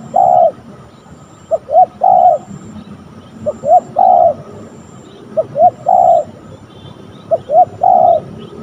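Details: Cooing of a spotted dove while a young decoy is trained on the ground and a fierce wild spotted dove appears; five regular phrases of paired short rising notes followed by a longer mellow coo, roughly every two seconds.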